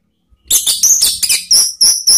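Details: Orange-headed thrush lure song, ngeplong and ngeriwik types, for cage-bird training: a continuous stream of very high, piercing whistled notes and chatter that ends in three clear, sliding whistles.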